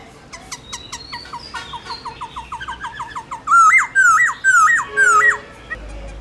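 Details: Forest-voice laughingthrush song used for training young birds: a fast run of short clipped notes speeding up, then four loud, separate wavering whistled phrases, each rising then dropping, with a faint hum in the background.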